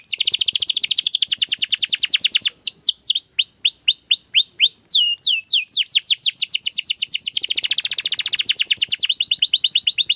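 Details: Caged canary singing strongly, a long fast trill of repeated notes broken by a phrase of slower falling whistles, then rolling trills resume at steady, loud volume.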